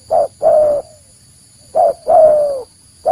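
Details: Spotted dove call used to lure wild doves for trapping: short coos each followed by a long, slightly falling coo, in two phrases, over a faint constant high-pitched hum.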